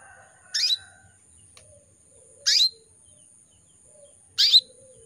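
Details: Female canary in breeding condition gives three short, bright tweets nearly two seconds apart to summon males. Each call sweeps downward, with faint low chatter between the calls.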